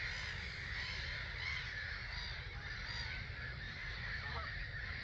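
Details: Around 250,000 starlings departing a roost at dawn, 05:45, 21 March 2022, Gibraltar Point NNR, recorded from a hide. Massed chatter blends into an unbroken hiss-like chorus, a few brief clearer notes standing out over low wind rumble.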